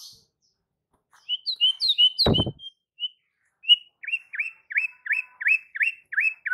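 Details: White-rumped shama singing to provoke other shamas into song: a short run of varied clear whistles, then a series of sharp downslurred whistled notes repeated about every quarter second, with one loud click partway through.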